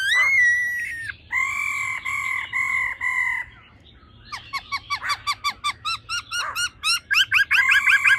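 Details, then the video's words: Female laughingthrush gives nasal, harmonic drawn-out notes, then a fast, rattling run of short chattering notes, about three a second, quickening toward the end. "Khướu mái ro ro.kích trống nhanh căng lửa"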